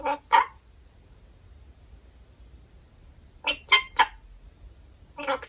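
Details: Pet red-collared lorikeet indoors, talking in a playful way to hold back its wish to eat after realizing it will not get a grape treat; short harsh, voice-like bursts come in clusters with quiet gaps in a small room.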